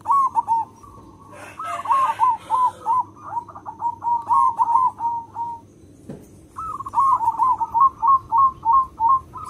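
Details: Local zebra dove with a big, loud voice, recorded for use as a lure for other zebra doves: mellow cooing phrases of quick, bubbling, evenly spaced notes, two long bursts separated by a pause, with faint chirps from other birds.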